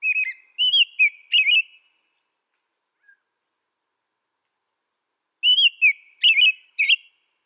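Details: American robin singing in bursts: three warbled whistled phrases, about four seconds of silence, then four more caroling phrases with thin high squeaky notes mixed in. No other sounds.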